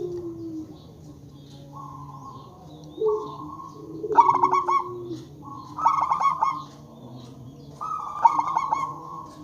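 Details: Lure call of a local zebra dove meant to make other zebra doves answer: three phrases about two seconds apart, each a rapid trill of stuttering coos ending in a held tone, over low droning background.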